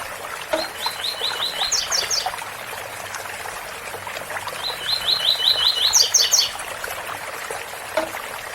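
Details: Double-collared seedeater singing the tui-tui style song over a steady waterfall rush: two phrases, each a quick run of about seven identical chipping notes that jumps to a cluster of higher, sharper notes at the end.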